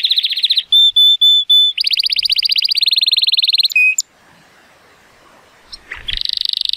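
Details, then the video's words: Sunny-day recording of an 83-point male Timbrado Español canary born in 2018: a rolling trill, three long steady whistles, a long fast rattling trill and a short low note, a pause, then the trill resumes. "The most PLEASANT Canary training song"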